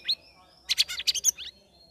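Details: Sooty-headed bulbul in chattering ngeriwik style, a kept bird after three weeks among a group of caged birds; a single high note, then a tight burst of five or six harsh, rapid chirps.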